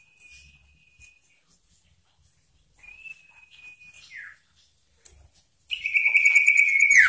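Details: A sooty-headed bulbul sings persistently with varied phrases to provoke rival birds: two soft, level thin whistles, the second sliding downward at its end, then a sudden loud rattling trill that carries to the close.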